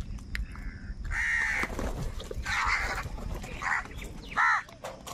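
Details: Crows fighting for food, angry and very loud: a few harsh caws with noisy bands, some drawn out, spaced irregularly over a rustling, hissy background.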